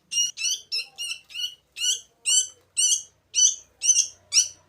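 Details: Sooty-headed bulbul chicks on their fourth day, hand-fed: harsh, buzzy begging calls with stacked overtones, repeated about twice a second in short bursts, loud and close, with faint low handling noises.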